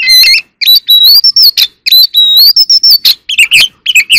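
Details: Oriental magpie-robin in a singing contest, kept as an ornamental bird: dense, loud song of sustained clear whistles, upward slurs and buzzy, scratchy notes with almost no pauses.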